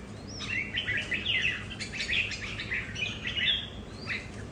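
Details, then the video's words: Red-whiskered bulbuls kept at home, vying over territory, pour out a dense run of quick warbled and whistled notes, rising and falling, with a faint upslurred whistle at the start and end. "Những CB ở nhà so kè lãnh thổ, mỗi Cb mỗi nết khác nhau"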